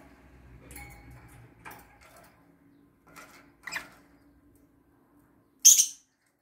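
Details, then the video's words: A lovebird imitates a sewing machine by rattling against its cage bars: a few scattered, dry rattling clicks on metal, ending in one loud, harsh rattling burst, in an otherwise quiet room. "AGAPORNIS IMITANDO LA MAQUINA DE COSER CON LOS BARROTES"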